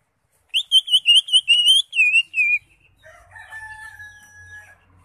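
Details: Greater green leafbird, crest raised, in full varied song used as a tutor recording: eight quick, bright, warbling whistled notes in a burst, then a faint, steady, thin tone with a lower hum underneath.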